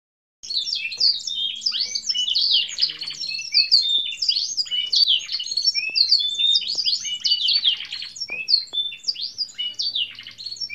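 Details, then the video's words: A canary sings a long, unbroken run of bright, high twittering notes and rolling trills that barely pause for breath, with nothing else audible behind it. "Burung Kenari Gacor Kicau Panjang"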